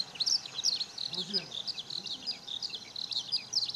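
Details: Eurasian skylark in sunshine at Okayama Airport's fourth parking lot, Japan, 5 June 2013, filmed on a Lumix DMC-FZ150: a steady flow of shrill chirps and warbles, with a faint low sound beneath early on.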